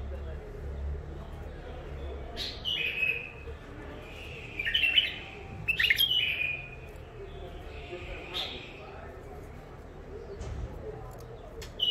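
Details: Several rich, chirpy bulbul phrases follow one another over about six seconds, from wild-caught, untrained birds out of Mandali, Iraq, held caged in first isolation. Quieter indoor background between phrases.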